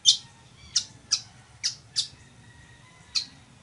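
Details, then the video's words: Weaver known as chichiguago, a teaching recording for birds. A loud harsh chip is followed by a quick run of four rasping notes, a pause, then one more. "CANTO DE AVE TEJEDOR O CHICHIGUAGO"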